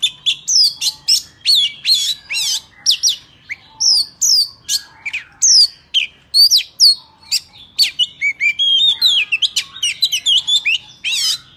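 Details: Oriental magpie-robin delivering a forest-style song, for tutoring young birds and trapping. Crisp, loud whistled notes and sharp upslurs pour out in quick succession, with many short, varied phrases.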